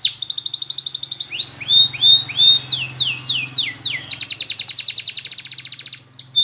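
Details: Spanish Timbrado canary song used for training canaries to sing: a rapid metallic trill, then a run of falling slurred notes, then a long bright rattling roll, with a faint low hum underneath.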